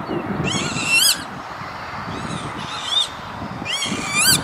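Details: Northern lapwing on an industrial estate near Veenendaal, the Netherlands, 28 May 2013: three wheezy, rising-then-falling slurred calls about 1.5 seconds apart over steady background rumble.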